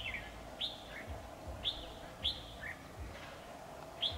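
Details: Red-whiskered bulbul, a decoy bird at a trap on 7 October 2019, repeats clear whistled phrases about every second: a sharp high note followed by a lower slurred whistle, over faint hum.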